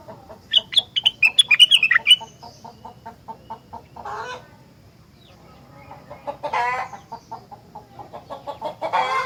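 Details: Energetic rengganis song of the kind said to prompt other rengganis to answer: a fast staccato series of high, sharp notes lasting about two seconds, then a quieter clucking stutter and rough chattering bursts.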